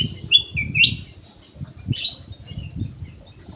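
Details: Lure song from an aviary-kept ruby-throated bulbul (cucak emas): a few clear, slurred whistled phrases, then a pause and one more whistle, over a steady low rumbling noise.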